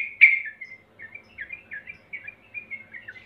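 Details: Yellow-vented bulbul calling as a lure to get birds singing fast: one loud sharp chirp, then a series of softer short chirped notes roughly every quarter second, faint low hum in the background.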